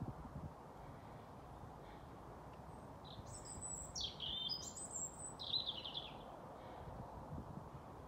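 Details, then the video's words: Dusk song of a European robin in Haga, Sweden, at 21:25 on 28 April 2022 as darkness falls; a short phrase of high, tinkling, jumbled notes and thin whistles midway, amid steady low urban hum. "Rödhake sjunger"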